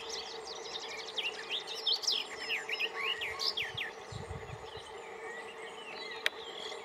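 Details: A garden warbler at Yarner Wood on 25 May 2020 gives a rapid, rambling warble of bright, varied notes for about four seconds, over a steady background hum and a brief low rumble.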